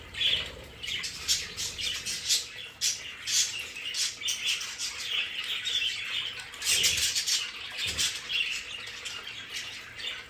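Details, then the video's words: Many budgerigars in their play area at home, a lively, scratchy warbling chorus dotted with brighter chirps, pulsing in loudness, with a couple of soft low thuds. "Sonidos de periquitos Australianos"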